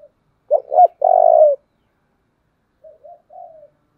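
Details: Spotted dove, 'thổ' voice style, very tense and strong, a reference decoy for luring: two punchy rising notes and a long vibrating coo, then after a pause three faint, soft, short coos.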